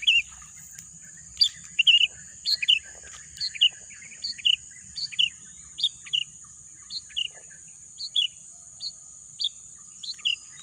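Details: Bird chirping in a green natural landscape: quick two-part notes stepping downward repeat about twice a second throughout, bright and evenly spaced. A constant thin high-pitched hum sits behind them.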